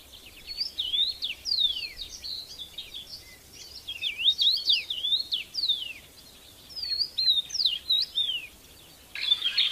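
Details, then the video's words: A red-headed bird singing outdoors in nature, giving a lively run of high whistled notes, slurred and zigzagging in pitch, delivered in clustered bursts separated by brief pauses, over a soft background hiss. "Tiếng Hót Lạ Của Loại Chim Đầu Đỏ"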